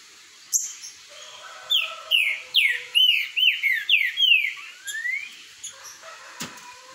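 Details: Green-winged saltator (Saltator similis) singing boiadeiro-type song in a singing dispute delivers a fast run of about seven loud, clear downslurred whistles in under three seconds, ending rising; fainter chirps behind.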